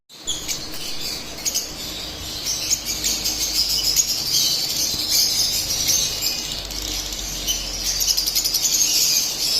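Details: Split albino lovebirds keep up a dense, shrill chatter of high chirps and squeaky trills, several birds overlapping almost nonstop, with a faint low hum underneath.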